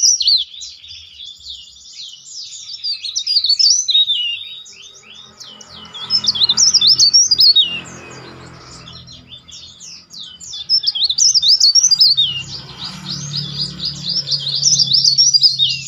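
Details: A leaf warbler sings a dense, loud, shrill high twittering song of rapid chirps, trills and sharp whistled sweeps, recorded as a master song for training birds.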